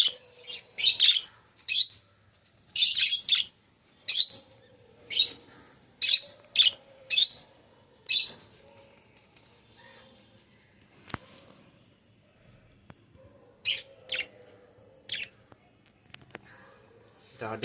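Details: Large pet budgerigars, including a big yellow one, give a run of bright, scratchy chirps in quick bursts, followed by a quieter pause.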